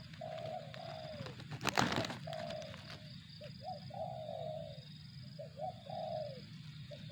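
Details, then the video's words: Spotted dove cooing, 'target zong' style: falling coos at the start, interrupted by a loud clattering burst, then short hooked notes and two more sustained descending coos over low background hum. "suara burung tekukur target zong"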